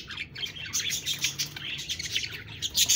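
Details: Busy budgie chatter with thin, whistled squeaks and buzzy chirps tumbling over each other, rising in loudness at the very end.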